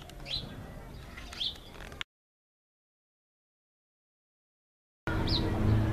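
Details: A Cape sparrow in Namibia, a very domestic bird around households, gives a few brief, bright chirps about a second apart, with a steady low rumble underneath and a silent break in the middle.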